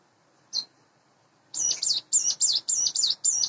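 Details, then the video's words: A lone high chip, a pause of one second, then about eight rapid, high, bending notes from a caged, hand-raised Sunda bush warbler, about eight months old and in breeding condition, in the morning. "suara ciblek gunung / cigun dipagi hari"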